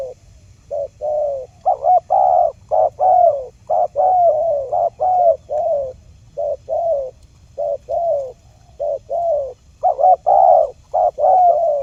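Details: Wild spotted dove calls used as a trapping lure: low mellow coos, mostly in pairs of a short note and a longer falling note, repeated steadily for about twelve seconds with short gaps.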